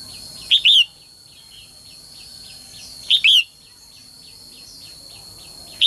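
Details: Female songbird calling to urge males into song; loud paired chirps, a brief note followed by a drawn-out arched one, repeated about every two and a half seconds, with faint regular ticking and a steady high tone behind.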